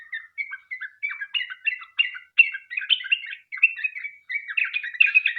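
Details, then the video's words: Lure song of a sooty-headed bulbul in the extended 'ropel' style: quick series of clear whistled and chattered notes, phrases rising in density, about one per second, in a quiet setting. "Trucuk gacor ROPEL PANJANG buat pancingan trucukan agar bunyi"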